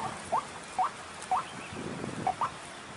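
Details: Ruak-ruak, the white-breasted waterhen, calling in a lure recording for catching the birds: brief rising notes repeated roughly every half second, with a quick double at the end, over a hissy background.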